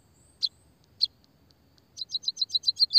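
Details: Munia (pipit/emprit), an energetic singer, in a recording used to lure birds and stimulate quiet ones to sing: two isolated high chirps, then a fast run of sharp, descending high notes growing louder, about four per second.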